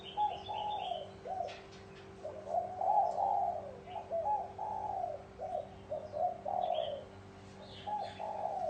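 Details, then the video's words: Spotted dove cooing in the bronze-bell style to stir up males and females: deep, smooth coo notes in groups of swelling phrases with short pauses, accompanied by occasional higher chirps and clicks and a faint steady hum. "Tiếng chim cu gáy chuông đồng gáy gù gọi bổi kích bổi kích trống mái lên nhanh"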